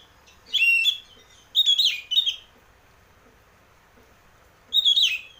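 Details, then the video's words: Oriental magpie-robin song used as a lure to get a caged bird singing: three bright whistled phrases with rich warbling flourishes, separated by pauses of around a second, over a quiet background. "pancingan burung kacer ngeplong biar cepat mau bunyi dan gacor"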